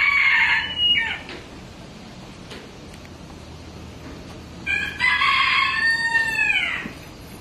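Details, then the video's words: Rooster at Ueno Zoo crowing twice: a loud harsh cock-a-doodle-doo, a pause of about four seconds, then a second full crow with a long drawn-out ending. "Cock-a-doodle-doo.Ueno Zoological Gardens.コケコッコー。上野動物園。"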